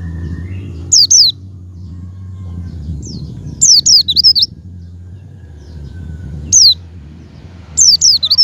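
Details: High descending whistled calls of a Javan white-eye, used as a lure to make a pet bird open its beak and sing, given in scattered short bursts of two to four notes separated by quiet gaps with low background hum.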